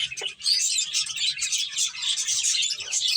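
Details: Finches at play, a dense flock chorus of high, thin chirps and twitters overlapping continuously, with no pauses, a few lower brief notes near the start.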